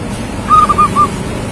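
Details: Young local zebra dove, a lively singer: a single short phrase of four soft cooing notes at steady pitch, the first longest and the rest clipped and evenly spaced, over a low background rumble.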